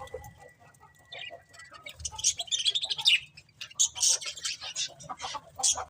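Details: Pet budgies chirp and twitter. A thin steady whistle opens, then bursts of harsh, high chirps come in quick runs with short pauses between.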